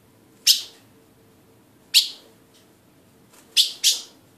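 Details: Ultramarine grosbeak (Cyanocompsa brissonii), one of a pair, giving four sharp, high metallic chips, irregularly spaced, the last two close together, over a faint steady low hum.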